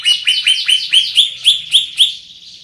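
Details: Greater green leafbird, big-bodied and strong-voiced, gives about eight bright slurred whistles at roughly quarter-second intervals, each rising then falling, before the series trails off.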